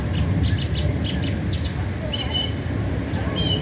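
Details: Northern mockingbird singing in America: a quick run of repeated high chirps, then clear whistled notes and a drawn-out higher whistle, over a steady low rumble of traffic.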